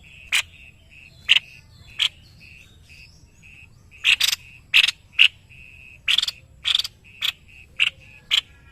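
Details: White-necked babbler, a caged tutor bird in Indonesia, in full song: sharp explosive chips, spaced at first, then coming in quicker clusters, laid over a steady high-pitched whistle.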